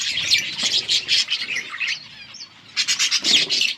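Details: Yellow budgerigars in a group give rapid bursts of bright chirps and scratchy warbling, pausing briefly near the middle before the busy high chatter resumes.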